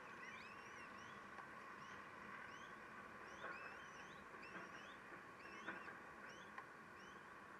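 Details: Common kestrels at their nest at feeding time around 12:45, with a male stealing food; several arched, whining calls overlap against a steady background hiss, with a few faint clicks.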